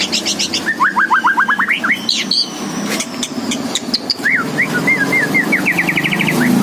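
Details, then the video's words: Lively White-rumped shama song opening with a fast run of descending whistled notes, then sharp sweeping whistles and a rising series of quick repeated notes, over constant low background hum. "Burung Murai Batu Gacor"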